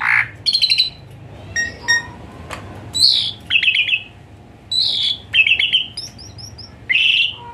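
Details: Asian pied starling song in the rich-fill, 'hot shots' style, played as therapy for a starling that sings lazily; loud separated bursts of harsh rasps alternating with whistled, ringing phrases, about eight bursts with short pauses between.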